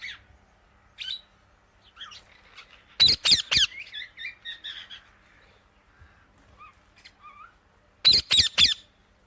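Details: Indian ringneck parakeet delivering two rapid bursts of four piercing screeches, with soft twittering and chattering notes scattered between the bursts.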